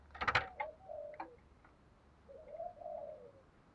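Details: Decoy spotted dove of the thổ pha đồng voice style, kept for luring, delivering two drawn-out level coos after a burst of loud tapping and rattling noise.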